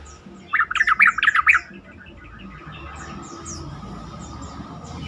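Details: Yellow-vented bulbul song used as a lure to make other bulbuls answer and sing more: a short burst of loud, bubbly, rapidly repeated warbled notes lasting about a second, followed by faint chirps and a steady background hum.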